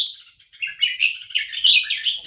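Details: Red-whiskered bulbul kept in a cage delivering an unbroken run of quick, chattering whistled notes that grow louder and busier toward the end, while its keeper praises the singing.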